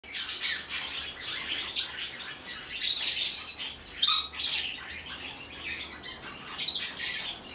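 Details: A hand-tame baby cinnamon Green-cheeked conure in Fukuoka, Japan, recorded 14 October 2023, keeps up a raspy, high chatter of scratchy notes, broken by a sharp squawk about halfway through and another near the end.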